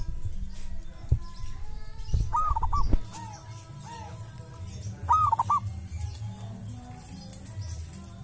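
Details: Local wild zebra dove at a sacred tomb, noted for a distinctive voice. Two bubbling coo phrases with softer coos between them, accompanied by low thumps and rumbling noise near the start.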